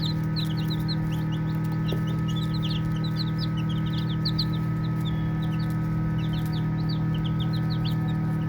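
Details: Playing baby chicks chirp nonstop, a busy scatter of shrill, clipped peeps, some upswept, others dropping, from many birds at once, with a steady electrical-sounding hum in the background.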